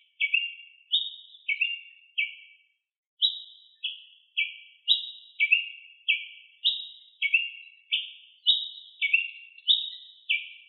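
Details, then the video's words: A wild ruby-crowned tanager sings insistently: crisp, descending chirped notes, often paired, with high and low tones swapping back and forth. A short silence breaks the run near the start, then the chirps continue without a gap. "TIÊ PRETO CANTANDO MUITO - CANTO DO TIÊ PRETO NA NATUREZA"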